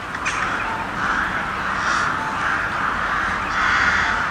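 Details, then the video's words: Several crows cawing very loudly, harsh hoarse calls repeated about every second and overlapping in a steady raucous chorus. "Crows making Noise | Crows Cawing"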